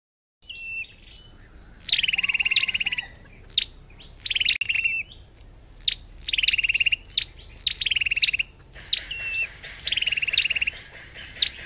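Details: Red-whiskered bulbul kept as a lure bird, singing loud whistled phrases: sharp upswept notes followed by fast, even rattling trills, repeated in bursts every second or so, with short silent gaps and a quiet background.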